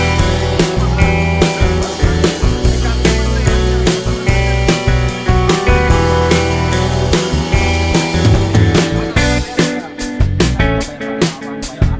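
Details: Loud rock music with driving drums, bass and guitar plays throughout, and no animal sound is heard.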